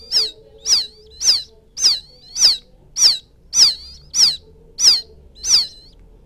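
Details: A quail chick from the rice fields calls for its mother, used to lure birds. Shrill peeps drop sharply in pitch, one about every half second, with a faint low hum in the background.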